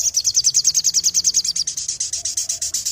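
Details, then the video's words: {'caption': 'Crimson sunbird (sogon), a lively singer. It gives one unbroken, very high trill of crisp repeated notes, about eight per second, slowing slightly toward the end.'} "BURUNG SOGON GACOR"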